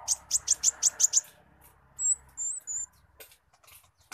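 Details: Brown-throated sunbird of the spotted type giving song with imitated squirrel sounds: a quick run of seven bright high chips, then three drawn-out thin whistles and a few faint clicks.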